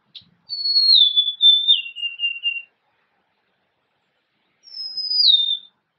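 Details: Golden-crowned sparrow giving a descending whistled song of three or four held notes, each a step lower than the last, then beginning a second phrase that drops after a high opening note.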